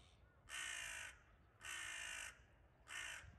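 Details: Crows mobbing a wildcat, 9 May 2022: three loud, drawn-out, grating caws in quick succession, the first two about half a second long, the last cut short, with low background noise between.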